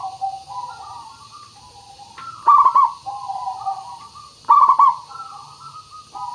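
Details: Zebra dove lure recording: soft murmuring coos build to two loud rippling, stuttered bursts about two seconds apart, each followed by gentle trailing coos, with quiet background hiss.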